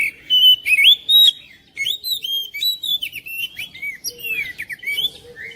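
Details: An oriental magpie-robin's song, played to encourage a quiet magpie-robin to sing, with three loud rising whistles followed by a long, busy stream of mixed chirps, trills and downslurred notes.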